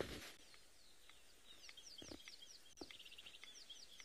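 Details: Red-crested korhaan at sunrise on a clear, warm morning, 4 November 2022, in the Eastern Cape, giving sharp, dry clicks spaced about a second apart, over a rapid run of high chirping notes from another bird and a loud knock at the start.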